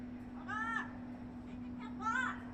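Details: A noisy talking bird gives two drawn-out, hoarse, rising-then-falling utterances over a constant low electrical hum.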